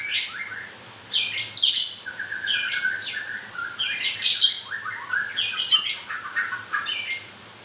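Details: Song of a white-rumped shama during moult: loud clusters of scratchy, buzzy high notes alternating with short falling whistles, coming about every one and a half seconds.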